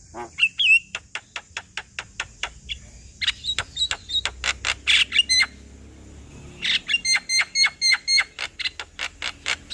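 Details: A male Javan myna singing to rouse a reluctant bird: long series of rapid, evenly spaced clicks broken by short whistles and a harsh burst, then a steady repeated ticking phrase.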